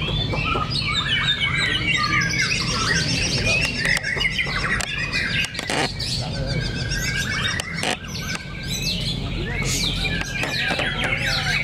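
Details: Fighter white-rumped shamas in a heated contest at Cibinong sing bursts of whistled and chattering notes, with sharp clicks and snaps scattered between phrases and a low hum underneath.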